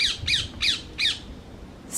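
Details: A noisy parakeet, one of many on an allotment plot, gives four harsh, grating squawks in quick succession, about three per second, with another starting as it ends, over a faint low background rumble.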